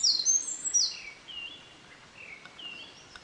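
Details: Eurasian Wren singing at close range beside a stream on 24 May 2013, as if competing with a distant Japanese Thrush. A burst of shrill, high trilled notes opens, then softer, lower whistled phrases follow.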